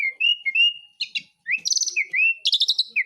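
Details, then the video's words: Asian pied starling singing actively in besetan style: clear whistled notes that slide upward, alternating with fast buzzy trilled bursts, in short phrases separated by brief pauses. "ISIAN BESETAN JALAK SUREN GACOR"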